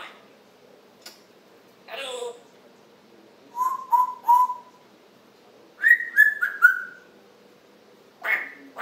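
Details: African grey parrot's morning chatter on July 26, 2021: soft clicks, then a run of three level whistles, followed by a quick descending series of higher whistles and a final squawk.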